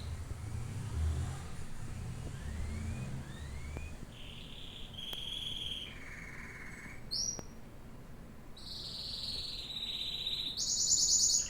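A domestic canary sings a series of rapid, rolling trills held at steady pitches, jumping between high and very high notes. Low traffic rumble is heard at first.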